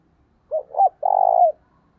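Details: Decoy spotted dove coo for luring wild birds: two brief hollow notes followed by one long, throbbing, purred coo that dips slightly at the end.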